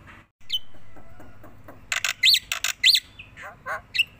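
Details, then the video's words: Tame black-winged myna singing actively while bobbing its head: a few squawky notes, then harsh broadband bursts mixed with short arched whistles rising and falling, delivered in quick irregular sequence. "burung jalak putih jinak gacor mangut manggut"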